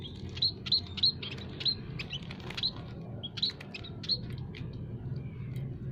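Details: Munias of several kinds, including scaly-breasted and Javan munias, chirping in an aviary as a trapping lure: high, thin chirps repeated rapidly, several per second in bursts, over a low steady hum.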